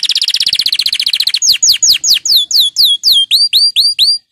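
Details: Canary song meant to spur canaries into singing: a fast high trill that breaks into slower, sweeping downward-slurred notes repeated about four times a second.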